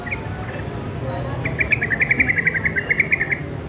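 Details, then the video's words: Young sooty-headed bulbul learning to sing, producing a fast, even string of clipped chirps, close to four per second for about two seconds, with a faint high whine and low hum behind. "TRUCUK MUDA BELAJAR BUNYI GACOR"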